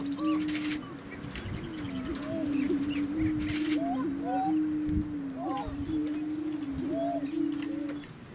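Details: {'text': 'Lek of displaying Greater Prairie-Chickens on Nebraska grassland near McCook, a continuous deep hum of booming overlaid with scattered upslurred cackles, bursts of camera shutter clicks and faint songbird notes.'}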